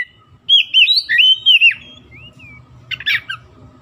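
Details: White-rumped shama song used to stir silent birds into singing: loud clear whistled phrases swooping between mid and high pitch, a brief pause, then a harsh scratchy burst with faint low hum behind.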